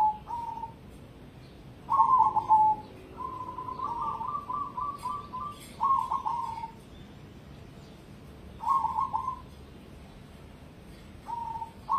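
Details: Competition-grade cemani zebra dove singing a series of short cooing notes and rippling trilled phrases, some longer, spaced irregularly across twelve seconds over a low background hum.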